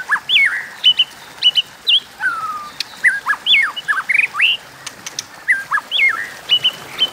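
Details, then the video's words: White-rumped shama in competitive song pours out varied loud whistles, sharp upward and downward slurs and a long falling note, with clicks interspersed throughout. "Tiếng Kích Chòe Lửa Hót Đấu Kéo Thuốc Lào"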